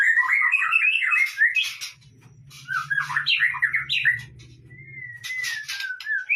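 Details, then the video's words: Lure song of a white-rumped shama, used to get other birds singing: jumbled warbling phrases and a long wavering whistle, over a faint low hum. "Pancingan murai batu 100% efektif langsung auto gacor"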